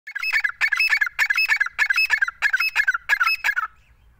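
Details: Grey francolin (teeter), a fighter bird kept in hand and calling from it, gives harsh, rapid phrases of grating notes, one burst about every half second for three and a half seconds, then falls silent.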